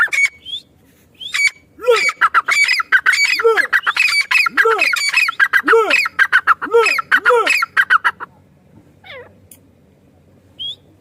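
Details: Female partridge giving a loud run of harsh, squawky notes, fast and uneven, roughly two per second, falling quiet near the end before a few faint, thin notes.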